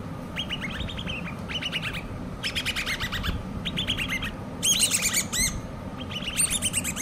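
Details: Common babbler chicks, hand-reared, giving bursts of fast, harsh chirping notes in dense clusters, some higher and sharper squeaks toward the end, with a steady low rumble behind.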